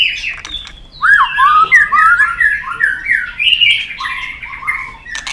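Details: Excited White-rumped shama, a kept bird stirred up to sing hard while flicking its tail, delivers a fast run of varied whistled and slurred notes, rising and falling phrases packed closely, with some clicks and faint room noise.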